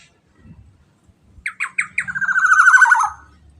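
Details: Black-naped oriole lure sound, clear and loud: three rasping squawks spaced evenly, followed by a quick series of buzzy pulses that speeds up and drifts down in pitch over about a second, then stops; slight low hum.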